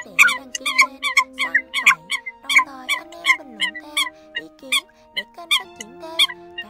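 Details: Eurasian coot calls on a trapping lure: a fast, busy series of bright, sharp nasal notes, many birds seemingly overlapping, over a sustained background drone.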